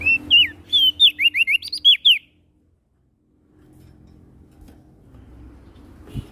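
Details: Prinia (prenjak daun) from Lombok, NTB, singing busily: a rapid run of about ten sharp, bright, wavering whistled notes over two seconds, then quiet with faint background rumble.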